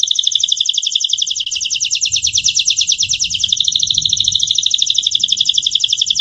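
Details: Gloster canary, a domestic canary recorded in 2018, pours out a continuous rapid rolling trill, dense and slightly buzzy, sustained throughout over a soft low background hum.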